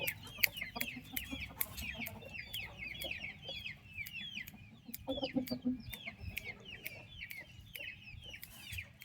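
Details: Young turkey chicks in their mother's care give a steady stream of high, slurred peeps, many overlapping. Sharp clicking taps and a low background rumble run underneath, with a deeper murmur around the middle.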